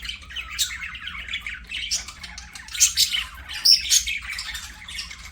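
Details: Budgies singing during play, a soft scratchy warble rising into louder squawky chirps with a few thin whistled squeaks, delivered in irregular bursts.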